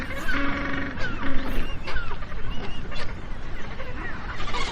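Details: Magellanic penguins calling: an opening nasal, harmonic bray followed by shorter honking notes and scattered squeaks from other birds, over continuous low wind or water noise.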